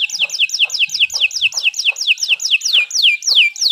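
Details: Canary singing steadily: a run of rapid downward-sweeping whistled notes, about five or six per second, growing slightly longer and louder toward the end, with faint low background rustle.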